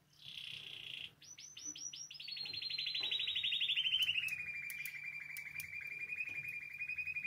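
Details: Spanish timbrado canary singing as a training model, starting with a short buzzy burst, then quick rising notes leading into a long rolling trill that slowly descends, with sharp clicks in the background.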